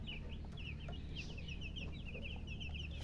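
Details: Chicken chicks giving a steady stream of thin, high peeps, many per second, almost continuous, set against a strong low rumble and hum.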